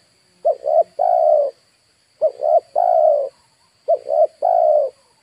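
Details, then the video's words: Lure spotted dove calling for wild birds. Three evenly spaced cooing phrases are heard, each made of two short coos and then a drawn-out mellow coo. A faint continuous high tone is also present. "DERKUKU/TEKUKUR PIKAT DI HAJAR BURUNG LIAR"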